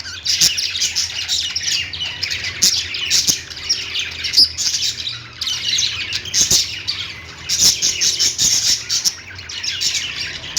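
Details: Several lovebirds keep up a continuous, busy chorus of high-pitched chirps and harsh squawks, with short sharp clicks scattered throughout.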